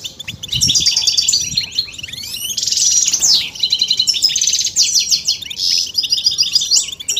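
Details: European goldfinch twittering used as singing stimulation for males. Loud, fast, liquid twitter mixed with rising whistled slurs and buzzy trills, almost without pause.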